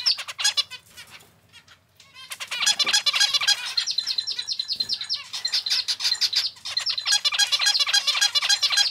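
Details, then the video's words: Household pet zebra finch male sings indoors with a long run of dense, rapid, buzzy and rasping syllables, roughly three to four per second. A brief quieter pause breaks the run before it resumes at full strength. "キンカチョウのさえずり・鳴き声 集めました②｜個性的なオス達 かわいい鳥 Cute Zebra Finch Songs 🎵 sing sounds calls"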